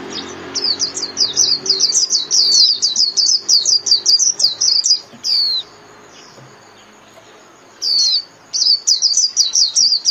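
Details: Japanese white-eye delivering 'líu' style song for daily caged-bird training: long, hurried strings of high twittering chirps, broken by a quiet stretch of about two seconds before the chatter returns.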